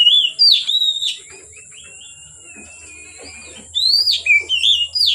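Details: Oriental magpie-robin singing at dusk: varied whistled phrases, some swooping, some flat and sustained, broken by a quiet gap, then a fresh run of bright rising notes; low hum and high hiss behind.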